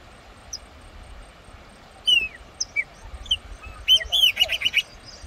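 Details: Wild chopi blackbird singing at the head of Cachoeira Castro Dantas waterfall, São Roque de Minas, Brazil: a few clear slurred whistles, then a rapid burst of bright, bubbling notes toward the end.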